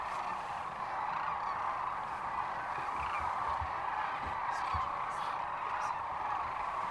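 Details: Thousands-strong roar of sandhill cranes at an Audubon sanctuary in Gibbon, Nebraska, March 13, 2014; steady trilling, trumpeting calls overlap throughout, with brief low thumps in the middle.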